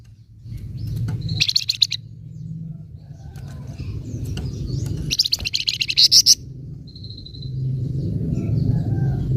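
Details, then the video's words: Flamboyan bird nyecret for provoking untrained flamboyan birds: two short bursts of rapid high chips and a thin whistle over steady low background hum. "Flamboyan Nyecret Ampuh Memancing Emosi Burung Flamboyan Bahan"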